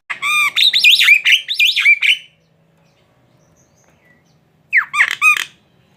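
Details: Javan myna singing: a loud burst of harsh, warbling notes with strongly harmonic, wavering whistles for about two seconds, a pause, then a shorter rising, whistled phrase near the end; quiet indoor background.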